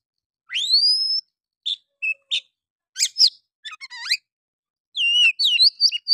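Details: Oriental magpie-robin in lively, harsh 'nembak' style song, used as a lure to stir other males: a long rising whistle, short sharp notes, then buzzy chattering trills and a burst of varied whistled phrases.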